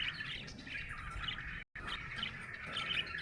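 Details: Happy budgerigar chattering in a continuous, buzzy warble broken by a momentary silent gap partway through.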